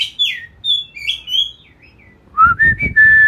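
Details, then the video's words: Ngeplong bird song for training a magpie robin. High slurred notes fall away, then a brief gap, then louder lower whistles repeated and rising step by step. "suara ngeplong"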